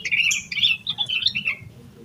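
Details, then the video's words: Yellow-vented bulbul in agitated, full-phrase 'emosi koslet full isian' singing, played to prompt other bulbuls to sing: a loud burst of quick, gurgling, bubbly notes in short chattering clusters, fading out after about one and a half seconds. "Suara Burung Trucukan Gacor EMOSI KOSLET Full Isian"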